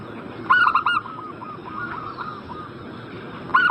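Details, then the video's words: A zebra dove lure for birds in breeding condition. One rapid run of clipped coo notes fades into a softer string of cooing notes, and the next phrase begins near the end. "Pancingan burung perkutut Agar Cepat Nyaut"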